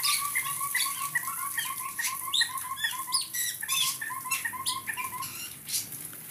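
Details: A cucak kopi in an aviary, apparently content in its new enclosure, gives fast, steady runs of short mid-pitched notes, with sharper high chirps and twitters from other aviary birds over them.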